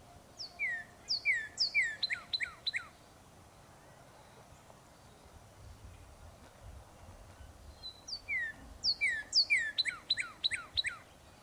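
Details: A Northern Cardinal at a backyard feeder in Southwest Virginia sings two bursts of clear, sharply down-slurred whistles, about two per second, high to mid pitch, over faint background hiss.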